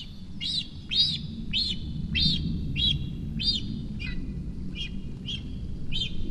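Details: Cinereous vulture fledgling begging at its nest in Sierra de Guadarrama National Park near Rascafría as the female arrives to feed it. Clear arching high squeals, about every 0.6 seconds, over steady low noise.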